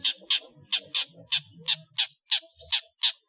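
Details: Long-tailed shrike in ngeplong full isian style, a training master for cage birds: harsh, broadband rasping notes, often in pairs, roughly three per second, with faint low background noise.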